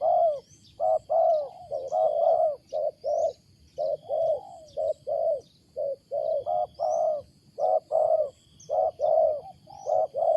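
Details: Wild spotted dove with a loud, unusual coo: short, mellow hooting notes delivered in quick uneven bursts, doubled and tripled phrases tumbling one after another, with faint high chirps of other birds behind.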